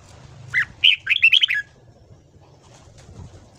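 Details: Red-whiskered bulbul morning song, recorded for voice training in the ché style: one short, bright, chattering warbled phrase of about five quick notes lasting around a second, followed by quiet with a low background hum.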